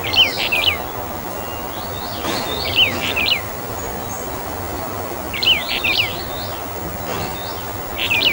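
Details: Brown bullfinch of the Taiwan-endemic subspecies Pyrrhula nipalensis uchidae, giving short clusters of quick, clear whistled notes every two to three seconds over a steady rushing background like flowing water or wind.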